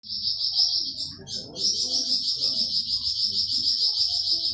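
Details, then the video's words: Flamboyan bird singing a 'tembakan' burst, a recording used as masteran to train pet songbirds such as cucak ijo and murai batu: a shrill, high, continuous trill pulsing about three times per second, briefly breaking near the start. A low murmur sits underneath. "Tembakan Burung flamboyan"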